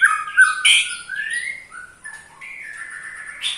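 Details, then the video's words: White-rumped shama aged eight months, Pastol type, ketrekan provoking other shamas: slurred whistles, a harsh burst, then long drawn rising whistled notes. "KETREKAN Pastol 8 bulan Bikin EMOSI murai Lain"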